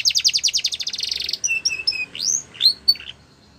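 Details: Yellow canary in the wild sings a rapid rattling trill followed by several clear, spaced whistled notes and a couple of rising slurred calls, fading out at the end.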